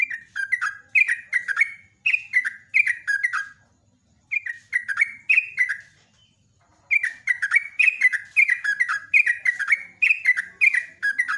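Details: Long morning song of the Sunda pied fantail (trucuk), meant as a lure for other birds: quick series of clear, downslurred whistled notes in three sustained bursts separated by brief silences.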